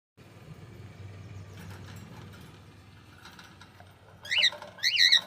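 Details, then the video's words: Cockatiel giving two loud, harsh, harmonic chirps near the end, each a short rising-and-falling squawk, after a few seconds of quiet rustling and low background hum. "Cute Cockatiel"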